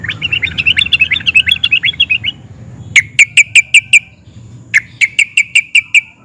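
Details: Sooty-headed bulbul, excited, singing 'nguplik' and 'ngerol' phrases that set other sooty-headed bulbuls answering: a two-second bubbling warbled chatter, then two bursts of five or six sharp, evenly spaced ringing notes.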